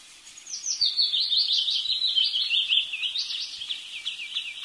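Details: Wood sandpiper giving a continuous high, warbling, rippling trill that wavers up and down for about four seconds, with no other sounds beyond faint background hiss.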